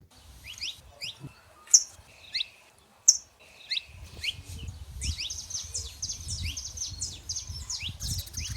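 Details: Wild saffron finches singing free in nature: several birds trade short, high, upward-slurred chirps, with a few sharp bright notes standing out. Denser overlapping twitters build from midway, over a steady low rumble of wind or handling.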